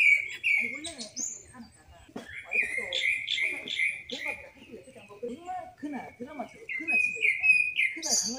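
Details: Mountain bird in the wild, 10 June 2024, giving a busy series of whistled, slightly rising notes repeated about three per second, mixed with sharp high chips and lower chattering calls from neighbouring birds.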